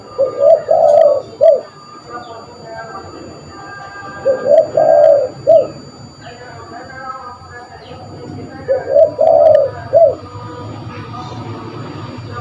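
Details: Spotted dove calling, used to lure birds: soft low cooing phrases of a few notes each, the final note set apart, repeated about every four seconds.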